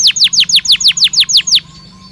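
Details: Belgian canary singing naturally: a fast series of about ten sweeping downward whistled notes, bright and evenly spaced, repeated roughly every 0.15 seconds before ending abruptly.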